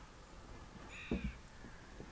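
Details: A crow in Nimmo Bay, Great Bear Rainforest, British Columbia, gives one harsh, hoarse caw under half a second on a summer afternoon at high tide, with low wind or handling rumble underneath.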